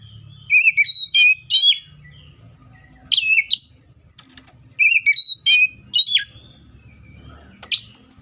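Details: Oriental magpie-robin in the wild giving short bursts of sharp, high whistled and slurred notes in groups of three or four, with pauses between groups over a soft low rumble.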